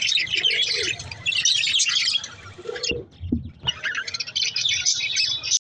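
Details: Budgerigars in continuous high chirping and warbled chatter, dropping to near quiet for a moment in the middle before the chattering resumes strongly, over a faint low hum.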